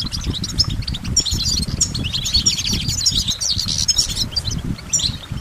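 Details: Goldfinch song: rapid, high twittering and tinkling notes run almost without pause, with soft low thumps and rustling underneath throughout.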